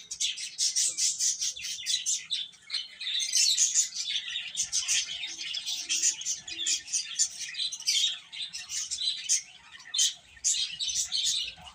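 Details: A crowd of chicken chicks chirping continuously, with high, overlapping peeps forming a busy, unbroken chorus that rises and falls slightly in loudness.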